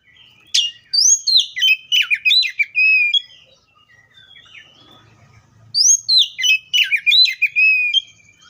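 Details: Oriental magpie-robin (Copsychus saularis) singing two bursts of loud, varied whistled and chirping notes, quick slurred phrases sweeping up and down, separated by about two seconds of near silence.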